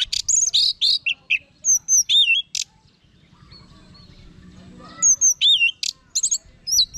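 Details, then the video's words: Orange-headed thrush singing in bursts of high, sweet whistled and slurred notes, some rising, some falling, with a brief quiet gap before a fresh run of looping whistles resumes. "Guru Vokal ANIS MERAH"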